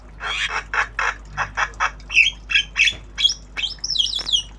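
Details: Javan myna in obyogan song, a tame bird learning sounds: a rhythmic string of rough squawking notes, roughly four a second, shifting to sharper whistled and chirping phrases near the end.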